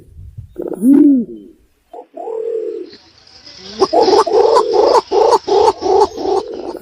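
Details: Hunting-lure recording of a pergam, the green imperial pigeon: a single drawn-out moaning note and a brief hum, then a run of deep, clipped notes repeated roughly every third of a second.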